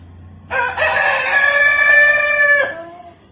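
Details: Red village rooster crowing at morning, one loud sustained crow of about two seconds, rich in harmonics, a short rising onset then a level drawn-out note before a soft fading tail.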